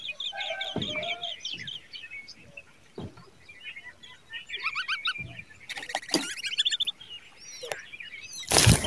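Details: Baby birds crying during an ant attack while the mother is in distress: rapid high, thin cheeping notes in runs, a burst of dense chittering midway, with sharp knocks and clattering noises.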